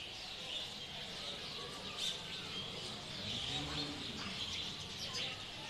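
A busy evening chorus of many small birds, with high, rapid overlapping chirps and tweets.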